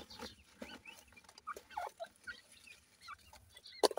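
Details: Partridge chicks playing, with soft high peeps and short slurred chirps scattered among muffled bumps and a sharp click near the end.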